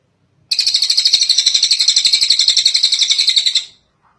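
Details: Kingfisher calling long, as a master track for training other birds: a loud, even, machine-gun-like rattle of about three seconds, with around four pulses per second, on a quiet background.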